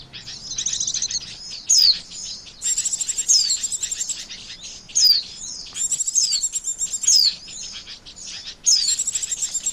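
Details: White-eye calls used as a trapping lure: bursts of fast, high, buzzy trills alternate with clear downward-sliding whistles, the pattern returning roughly every one and a half to two seconds.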